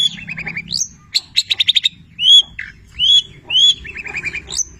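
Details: Long-tailed shrike (cendet petir) singing with labet and canary filler notes: a quick low trill, a burst of rapid ticks, then three loud arched whistles followed by chattering, over a faint hum.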